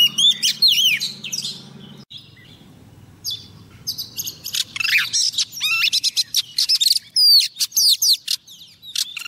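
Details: Female Oriental magpie-robin singing to call a male, a lure bird: opening warbled whistles, then a long busy stretch of sharp clicks, rapid chips and sweeping whistled notes.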